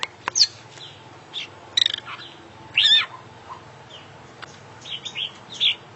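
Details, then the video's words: International champion oriental magpie-robin (kacer), gacor and singing full isian: sharp clicks, rapid stuttered notes, a loud buzzy twisting phrase, and scattered high slurred whistles. "Full Isian Juara Internasional Burung KACER Gacor"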